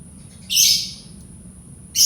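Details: A lovebird, heard as a lure for teaching lovebirds to sing, lets out one sustained harsh screech lasting half a second, then silence before another screech begins, with a thin steady whine behind.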